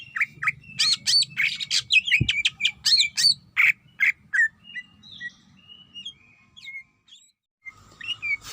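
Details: Calling female greater green leafbird seeking a male: a fast, loud run of crisp whistled chirps and squeaks, roughly three per second. Softer scattered notes trail off after, and a single sharp click is heard.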